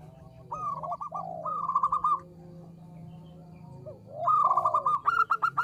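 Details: Zebra dove of the local type giving small-voice song: swooping upward coos followed by quick clipped pulses, two phrases separated by a quiet gap over a steady low background hum.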